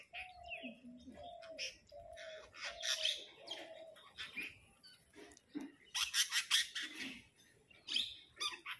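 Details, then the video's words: A parrot flock arguing over food: first a run of repeated low, hollow tonal notes under sharp chirps, then bursts of loud, scratchy, overlapping squawks in quick clusters. "flock of parrot talking among themselves and arruging over food"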